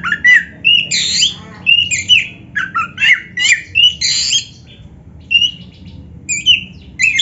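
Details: Oriental magpie-robin singing energetically, used to spark singing in other magpie-robins. Harsh, scratchy notes alternate with rich whistles in rapid phrases that thin out toward the end.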